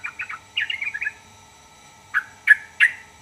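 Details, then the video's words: Bulbul-like scratchy, chattering notes in a short descending phrase, then a pause and three separate, emphatic sharp calls spaced about a third of a second apart. "burung trucukan manapun langsung nyaut dibuatnya"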